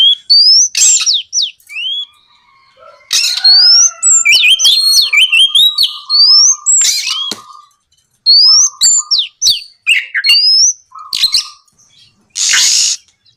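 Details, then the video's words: Oriental magpie-robin song played at night as a lure to set other magpie-robins singing: fast rising whistles, clicks, buzzy low flat notes and rasping bursts in repeated phrases, ending with a harsh hiss. "MEMANCING KACER AGAR LEKAS BUNYI NYAUT & GACOR! TERAPI MALAM SUARA BURUNG KACER GACOR NGEPLONG"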